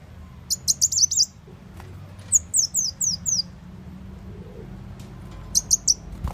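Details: Sunbird lure call for catching birds: three short bursts of rapid, sharp high chirps, the middle run of notes each falling in pitch, with quiet gaps between bursts.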